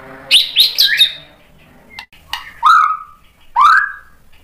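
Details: White-rumped shama song to provoke other shamas; a quick run of harsh notes followed by loud downslurred whistles about a second apart.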